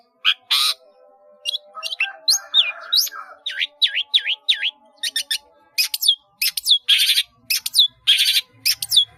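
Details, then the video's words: Long-tailed shrike in lively, varied song packed with many mimicked fill-in phrases, used for training caged birds: sharp high chips, squawks and repeated down-slurred whistles, with a brief buzzy burst near three seconds. "CENDET GACOR ISIAN BANYAK"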